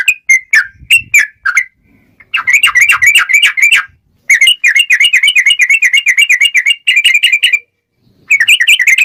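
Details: Male sooty-headed bulbul singing a long, dense fighting song: bursts of fast chattering whistled notes run together in rapid, tightly packed series broken by short pauses, bright and clear with little background noise.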